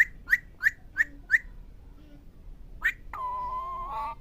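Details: Talking parrot giving five sharp, evenly spaced whistled chirps about every third of a second, another chirp after a pause, then a sustained nasal, buzzy tone with rich harmonics lasting about a second.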